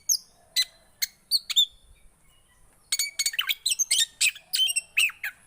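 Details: Javan white-eye song to coax a silent bird into singing: a few isolated high chirps, a brief lull, then a fast, continuous string of sharp twittering notes.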